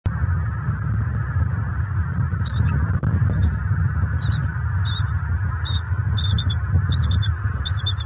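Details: Bald eagle at a nest in Fort Myers, Southwest Florida, on October 29, 2022, just after dark, around a mating pair. Short bursts of thin, high chirps start after two seconds and repeat in small clusters over a steady low rumble.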